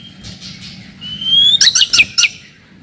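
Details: Brief white-rumped shama phrase for provoking rivals and testing young birds: a thin rising whistle leading into five loud sharp chirps, over low background hiss.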